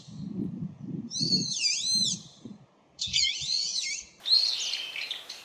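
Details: Brown-eared bulbul uttering loud, shrill, arching slurred calls that sweep up and down, in two bursts about a second apart, then a harsher squealing phrase, with faint low knocking below.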